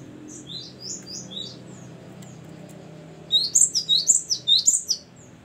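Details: Great tit, known as gelatik batu, with soft distant-sounding high notes at first, then a loud, quick run of piercing two-part descending whistles lasting over a second.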